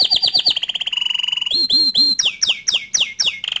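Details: Bottle-green canary, kept as a song tutor for young canaries, delivers fast descending chips, a steady mid-pitched roll, looping warbled notes, then a run of sharp high slurred whistles repeated about twice a second.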